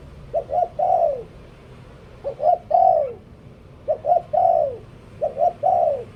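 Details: Spotted dove kept as a decoy bird, singing a steady coo pattern: two quick low notes, then a drawn-out descending coo, each phrase repeated after a short pause over faint background noise.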